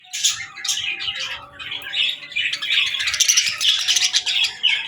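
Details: Baby budgerigars playing and talking, a chorus of continuous buzzy, scratchy chirps and warbles, dense and overlapping, with a faint steady hum underneath.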